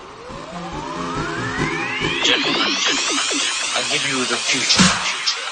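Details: Electronic music with a long rising synth sweep, pulsing notes and some speech mixed in, with no animal calls.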